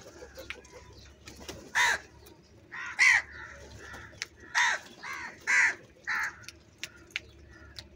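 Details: Crow calling while eating food: loud harsh caws, some single, some in quick pairs, about seven in eight seconds, with faint thin chirps of small birds and a low hum behind.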